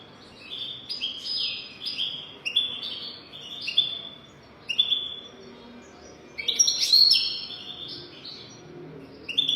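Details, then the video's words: European goldfinch song used for teaching young goldfinches: a run of bright, twittering, buzzy high phrases in short bursts, with a louder tinkling flourish near the end and a quiet background. "تغريد رهيب طائر الحسون حنجورة دهبية لتعليم طيور الحسون"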